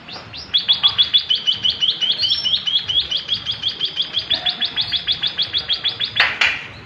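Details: A tame White-headed Munia gives a long, fast rolling run of high, thin chirps, about five or six a second and fairly even throughout, ending with a brief noisy clatter.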